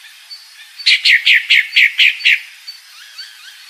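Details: A female pale-breasted thrush calls with seven quick, scratchy, downslurred notes in a single run, followed by faint soft chirps in the background.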